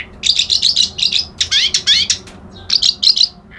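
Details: Dense, fast white-browed reed warbler song: rapidly repeated high twittering, rattling note groups in quick bursts, with short gaps between them and a brief pause near the end.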